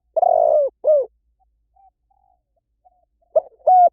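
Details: Spotted dove ending one phrase with a long, slightly buzzy falling coo and a short drooping note. After a quiet pause, the next phrase begins with two rising coos.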